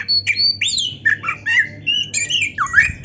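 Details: Gacor white-rumped shama singing a varied masteran: short whistled slurs, rising and falling squeaky notes and quick chirps, evenly spaced in a mixed high medley.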